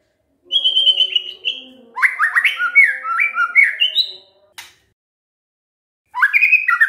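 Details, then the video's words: White-rumped shama song played as a lure to get other shamas calling back: a steady high whistle, then a fast sequence of bright jumping notes, silence, and another energetic phrase starting. "pancingan murai batu GAK PAKE LAMA, murai langsung nyaut saat dengar ini"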